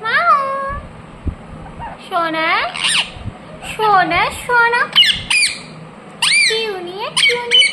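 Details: Pet ringneck parrot mixing drawn-out, wavering, voice-like glides with bursts of sharp, high squawks, an uneven, talkative string of sounds.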